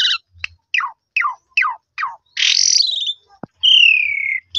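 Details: Black-collared starling singing as a lure for other starlings: a run of six sharp falling chips, a burst of harsh buzzy rasp, then a long whistled note gliding slowly downward.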